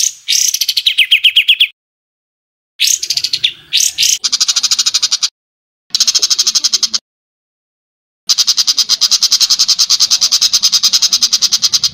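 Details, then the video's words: Rough 'tembakan kasar' bird calls compiled to tutor cage songbirds: a descending harsh phrase, broken bursts, then long sections of fast buzzy high notes repeated about three times per second, separated by silences. "Tembakan Kasar Masteran Kompilasi Mewah Untuk Semua Jenis Burung Cucak ijo, Murai batu"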